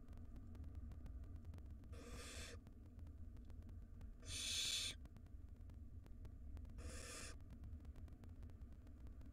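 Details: Begging wild barn owl chicks in a monitored nest box during a feeding by the mother; three separate hoarse hissing screeches, the middle one loudest, over a steady low hum.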